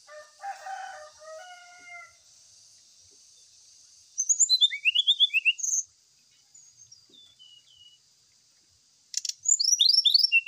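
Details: Brown-chested jungle flycatcher lure song, played as therapy to get captive birds singing while aired in the morning dew; bursts of rapid, high, sweeping whistled notes, with lower chirping notes at the start and a steady high hiss behind.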